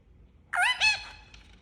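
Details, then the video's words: Pet Indian ringneck parakeet, described as angry, giving two loud harsh squawks in quick succession, each rich in stacked overtones with a slight downward bend, followed by a faint click in a quiet room. "Angry Talking Parrot Making Sound"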